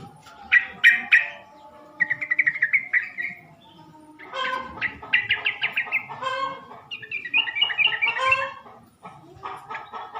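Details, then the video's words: Sooty-headed bulbul call played to lure males into answering: bursts of harsh, bubbly chattering notes in quick series, pausing between bouts, with faint background noise. "PANCINGAN SUARA BURUNG TRUCUK,jantan di jamin langsung nyaut"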